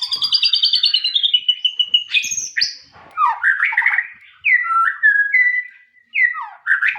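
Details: White-rumped shama song: a descending series of rapid high notes, then sharp upslurred whistles and a run of clear, varied whistled phrases with brief pauses between them.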